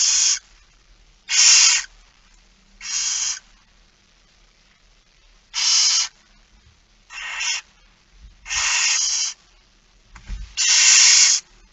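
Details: Barn owls begging during feeding, 06:57, 13 September 2019: a run of eight rough, hissing screeches of varied length at irregular intervals, with low bumps and movement noises late on.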